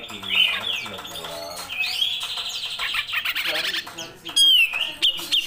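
A grey-cheeked bulbul sings a busy run of harsh, chattering notes mixed with brief bright whistles. A faint low murmur sits underneath.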